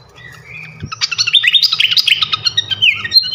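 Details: Flycatcher song for sharpening champion cage birds: a quiet whistle, then a quick series of bright, rising chirps and trills repeated several times a second, with a steady low hum underneath.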